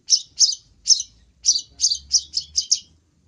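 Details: Long-tailed shrike luring call, a loud, clear series of nine high scratchy chirps in quick uneven succession, with a short pause after the third, over near silence.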